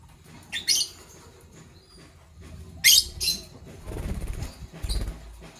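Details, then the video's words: Morning chirping from Fischer's lovebirds, a parblue violet and a pastel green opaline, kept as pets: two sharp, high, scratchy bursts about two seconds apart, followed by softer rustling and low thumps. "Relaxing Lovebird Chirping Sounds from Parblue Violet Fischer's & Pastel Green Opaline"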